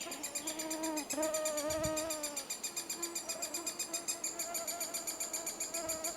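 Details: Three-toed woodpecker in Estonia during the nesting season. A drawn-out tonal, harmonic sound dominates the first seconds, then a steady run of high, buzzy pulses follows at about four per second.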